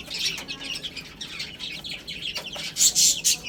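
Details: A group of young chicks chirping while they eat and play, steady thin peeps overlapping, then a few loud, piercing cheeps close by near the end.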